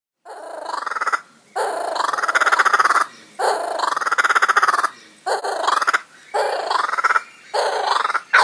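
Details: Laughing kookaburra (Dacelo novaeguineae) gives a run of harsh, rapidly pulsed chuckling bursts, each about a second long with brief pauses, rising and falling in pitch.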